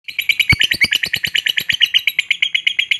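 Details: Pet lovebird, described as happy while filmed, chirping in a fast, even series of short, sharp, bright notes, about eight per second, without pause.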